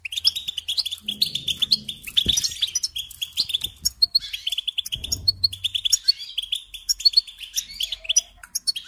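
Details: European goldfinch song used to train young birds: long, rapid twittering with tinkling and buzzy notes, steady throughout, plus a couple of soft low knocks in the background.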